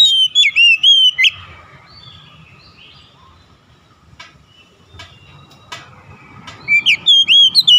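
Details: Song of the Oriental magpie-robin as therapy for a stressed bird: a sweet whistled phrase of several notes, then a long lull with scattered clicks and low noise, before the whistled phrase returns near the end.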